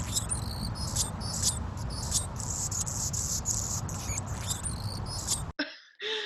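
Anna's Hummingbird giving high, thin chirps and squeaky trills in quick repeated bursts, over a low background rumble.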